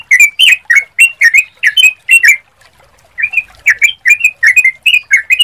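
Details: Sooty-headed bulbul song used as a lure to make other bulbuls answer: rapid bubbly, slurred notes around the upper-middle range, delivered in quick chattering bursts with a short pause midway.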